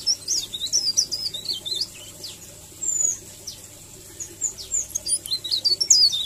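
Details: Leaf warbler in a rolling, melodious song style used as a tutor recording: high, thin, jerky twittering notes in short runs, broken by brief pauses.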